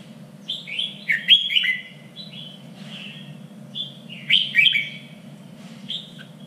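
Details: Red-whiskered bulbul contest-style song for training fighting birds, standard voice of three regions: short warbled whistled phrases, rising and falling slurs, about three bursts with pauses, steady low hum underneath.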